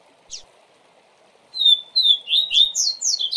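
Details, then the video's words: Double-collared seedeater tutor song in the Tui Tui Zel Zel style, used to teach young birds: a short high note, a pause, then a run of loud whistled slurs sliding down, the notes climbing higher and faster toward the end. "Tui Tui Zel Zel Diferente Para Encarte Canto Lindo!!!"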